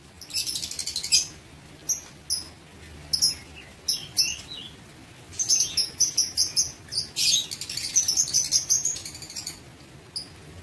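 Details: Lovebirds kept in an aviary calling in high, thin, rasping chirps, at first spaced, then crowding into a busy twittering chatter with a few drawn-out squeaky notes.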